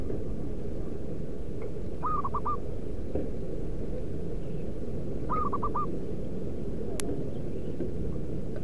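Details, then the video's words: Zebra dove, local wild bird in nature, its call used as a lure: two rapid four-note cooing phrases about three seconds apart, with one sharp click and a constant low background noise. "Merbuk pikat lokal suara si battosai pemanggil perkutut di alam liar"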